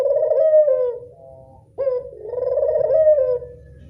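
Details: Local Barbary dove calling as a lure for doves. A long rolling coo fades out, then after a short gap a clipped note launches another steady, warbling coo lasting about a second and a half.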